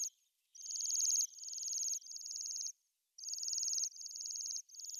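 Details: Repeated high, ringing, buzzy trills of Bohemian waxwing, each about half a second long, running almost without pause in two bursts separated by a short silence.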